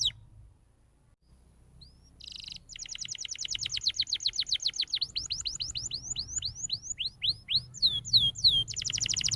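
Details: Canary singing to stimulate young canaries: quiet start with a faint whistle and brief buzz, then a long rapid trill of falling sweeps slowing to spaced looping notes, ending in a fast trill.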